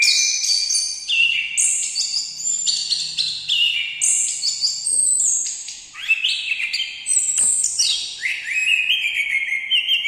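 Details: Orange-headed thrush in full song, loud sweet whistles shifting pitch every half second, ending with a series of rising slurred notes and a sustained lower whistle.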